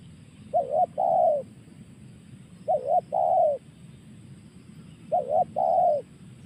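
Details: Three phrases of a spotted dove's 'tekan' call, each opening with a brief trembling coo and ending in a longer, warm coo that drops in pitch, repeated at about two-second intervals over a low rumble.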